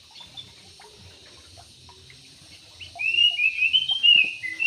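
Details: Caged yellow-vented bulbul in an aviary. After a quiet start, it gives a lively phrase of slurred, warbling whistles lasting about a second and a half. Soft background rustles are heard.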